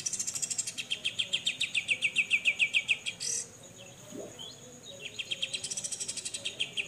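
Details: Grey-cheeked bulbul besetan, a clear tutor recording for songbirds: a three-second rattle of loud, evenly repeated buzzy notes, one harsh note, a quiet gap with faint sounds, then the rapid rattle resumes.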